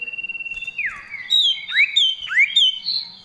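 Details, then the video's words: Common iora, a prolific singer in full varied song with fill-in phrases: a long steady high whistle, then a downward-sliding slur and several sharp rising and falling whistled notes in quick succession. "cipoh gacor variasi full isian"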